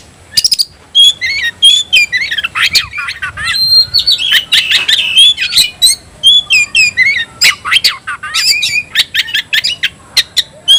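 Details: An oriental magpie-robin delivers a long, energetic 'tayoraky'-style song of sharp clicks, high whistles and rapid chattering notes, almost without a break.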